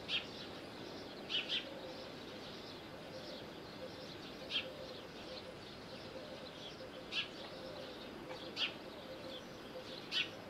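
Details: Calls of a little owl at Bostonia Village, Corfu, Greece: brief, sharp, high notes, one doubled, repeated roughly every one and a half to three seconds, with a low steady hum in the background.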